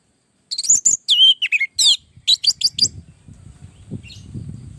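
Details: Orange-headed thrush used as a lure to make other birds sing back, giving a quick burst of varied whistles and slurred downward notes for about two seconds. Low background rumble follows.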